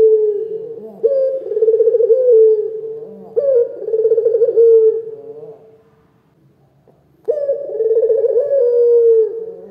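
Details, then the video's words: Local turtle dove with a big voice, used to provoke other birds into answering: three loud, low cooing phrases with a wavering hum, each lasting about two seconds and separated by short pauses, the last following a silent gap. "SUARA PUTER LOKAL GACOR, SUARA BESAR DAN GACOR!!"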